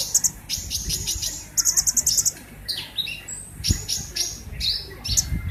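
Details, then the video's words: Purple-throated sunbird in energetic song, loud high-pitched buzzy trills in quick pulsed bursts, a rapid stuttering series near the middle, then thin rising squeaks and twitters against low rumbling background noise. "Burung konin gacor..... Kolibri ninja gacor banget"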